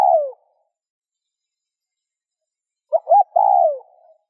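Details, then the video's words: Spotted dove coo meant to stimulate other doves to coo: the tail of a falling coo, a long silence, then one full phrase of two short clipped notes and a drawn-out descending note. "Tiếng cu gáy RÚT BỔI hiệu quả"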